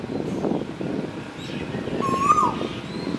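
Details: Male Asian koel calling on Koh Samui, Thailand: a single clear whistled note rising then briefly falling, over a steady hum of background noise and rustling.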